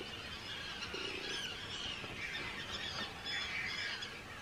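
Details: Arctic terns, hundreds at a breeding colony, Rottumerplaat, Groningen, the Netherlands, 4 June 2023; an unbroken din of thin, shrill, squealing calls from many overlapping birds.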